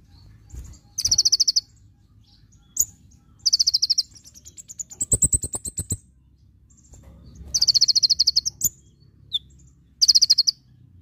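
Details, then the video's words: Javan white-eye masteran, full tembakan: fast high trills repeated every few seconds, with a rising series of thin whistled notes over clicking pulses in the middle, plus isolated chips. "Masteran konin full tembakan"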